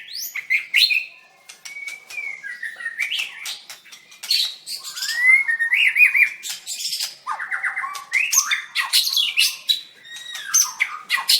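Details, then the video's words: Singing-contest winning white-rumped shama, 7/25/16, dancing as it sings: loud, varied song of clear whistles, rising and falling slurs and rapid chattering notes, delivered almost without pause. "Birds White-rumped shama dancing and singing like crazy till chirped sorethroat"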